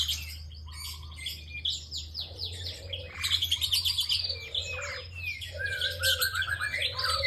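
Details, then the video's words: Bar-winged prinia singing vigorously: rapid, dense chattering of high chirps and trills, with lower whistled notes mixed in, all over a continuous low background hum. "BURUNG PRENJAK ENGKEL GACOR DURASI PANJANG"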